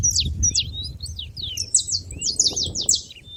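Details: High sharp chirps and thin downward whistles from saffron finches gathered at a feeder, notes spaced irregularly, over a quiet low rumble.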